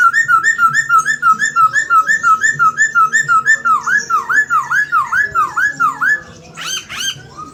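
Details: Chinese hwamei singing vigorously with murai phrases: a long run of rapid, evenly repeated short whistles, shifting into a series of loud U-shaped swooping notes, then a brief high burst.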